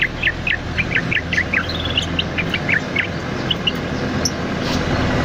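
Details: Bulbul known locally as cucak loreng, diligently singing, used as master or lure audio for cage birds: quick clipped chirps in a fast series, then a pause and a few spaced notes over steady background noise.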